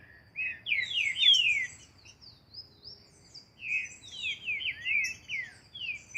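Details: Green-winged saltator in outdoor training, delivering bursts of bright descending whistled slurs in two loud phrases separated by a quieter gap, with thin high chips above and a steady low rumble beneath.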